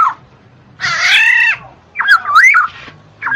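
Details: Black-naped oriole, played to encourage birds reluctant to sing: a long harsh, nasal, buzzy note, then a wavering fluty whistle and a short whistled start at the end.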